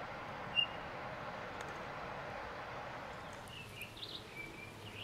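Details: A Townsend's solitaire at White Pines Forest State Park, Ogle County, Illinois, on 20 October 2022 gives one clear, high, piping whistle, then faint softer chirps over a steady background rush of wind or distant traffic.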